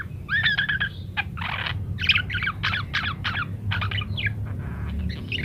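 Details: Parakeet song for training munias: a whistled opening phrase followed by a series of scratchy, chattering bursts at a brisk pace, with a faint low rumble in the background.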